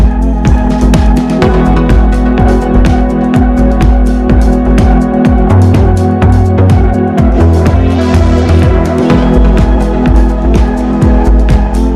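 Loud electronic dance music with a steady beat and no animal sounds.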